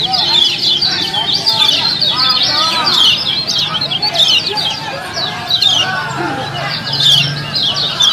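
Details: Lemon-bellied white-eyes in a competition setting, full gonsrengan style: a dense, continuous chorus of fast, high chirps and twittering trills overlapping from several birds, with quieter lower warbling notes and a faint murmur of voices.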